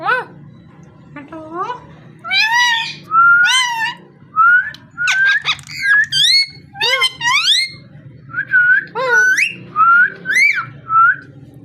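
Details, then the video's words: Busy, varied parrot vocalising: rapid harsh chirps, swooping whistles and short squawks in quick succession for about ten seconds, over a faint low hum indoors. "Amazing parrot so cute talking and voice"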